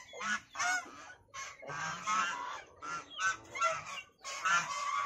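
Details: White domestic goose giving loud, harsh honks in quick bursts, about eight calls in five seconds, each nasal and slightly rising.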